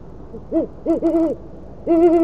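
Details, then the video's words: Great horned owl parents at a nest in Oklahoma City hoot to each other at 9:45 pm on 25 March 2013, the female at the railing and the male off camera. Several deep, hollow hoots sound, some short, one drawn out, in a quiet night. "Nice hooting between parents"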